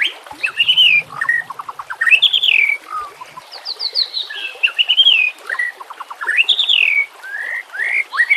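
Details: White-rumped shama song used as a training master recording, set with nature sounds and trickling water: rich varied phrases of clear whistles, rising and falling slurs and rapid ticking trills, continuous and loud.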